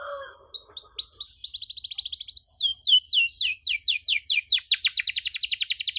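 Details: Canary song for teaching young canaries, ornate and long: a low hum at the start, rising chirps, a fast trill, then rapid descending whistled strokes merging into another quick trill.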